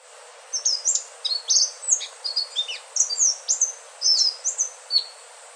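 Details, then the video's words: Indigo flycatcher, locally called sikatan ninon or selendang biru, giving a sweet song: a quick run of thin, very high whistled notes, some sliding down, others up, in short bursts over a faint steady hiss. "Suara merdu sikatan ninon/ burung selendang biru"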